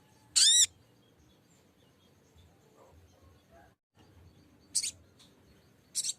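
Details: Lesser green leafbird lure song, calling a rival and used to prompt other birds to sing: one loud, high, arched trill burst, then a long pause and two shorter, sharp bursts near the end, over faint low background hum.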